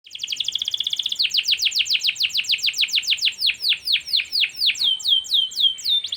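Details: Canary song, comparing a panda-patterned canary with a yellow canary: a long rapid trill of high notes, then a series of fast downward-sweeping whistles repeated several times a second, slowing toward the end.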